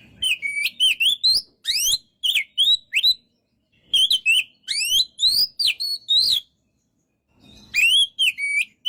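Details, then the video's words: Oriental magpie-robin (kacer) singing in full, vigorous gacor style: loud whistled phrases of rising and falling slurred notes, rapid chirps in between, bursts separated by short pauses, with a faint low thump at the end. "MASTERAN BURUNG KACER GACOR SEKALI"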